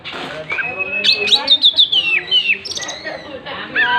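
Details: Tail-spreading Oriental magpie-robin singing a lively run of rapid descending whistled notes and chirps, the run followed by a buzzy high phrase and more whistles.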